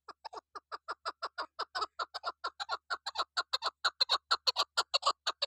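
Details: Calling female chukar partridge gives a steady run of sharp, downward-slurred clucking notes, roughly two each second, growing slightly louder and harsher toward the end.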